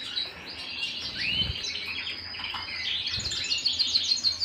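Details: Canary song recorded at home: a fast twittering jumble of high notes, an upward slur near the start, ending in quick repeated chips; faint low thumps twice.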